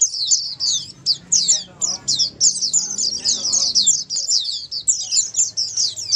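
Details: Oriental white-eye, locally pleci, singing the ombyokan style used to get other white-eyes to answer; lively bursts of high chirping twitters separated by short pauses.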